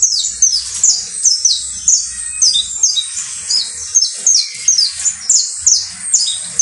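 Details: Saffron finch, locally called canario basto criollo, singing: a rapid run of high, sharp downslurred chirps, about two to three per second, bright and ringing over a faint low hum.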